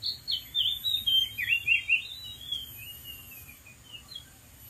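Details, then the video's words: Wild Oriental magpie-robin singing from a dead tree: a rapid run of sweet whistled and warbled notes that slide downward, loud at first then fading into softer scattered phrases, over a steady high insect hiss. "KICAU BURUNG KACER DI ALAM LIAR | GACOR DARI ATAS POHON MATI"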